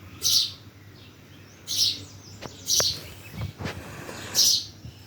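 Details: Birds chirping in Bhimtal: bright, high twittering bursts repeated roughly every second and a half, with a few short sharp lower clicks between and a faint steady background hum.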